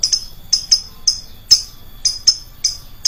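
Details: Lovebird call used as a lure, shrill in tone: sparse, sharp high chirps, often paired in quick doubles, with brief gaps between them.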